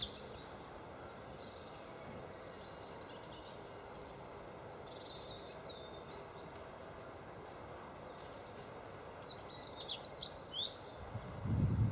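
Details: February Dunnock song from Golden Hill Country Park, Freshwater, 21 February 2012: mostly quiet background with faint distant notes, then one short, fast, high warbled phrase near the end, followed by a low thump.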